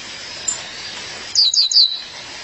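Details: A female violaceous euphonia calling her mate delivers a single tight burst of very high, bright, descending notes after a quiet start.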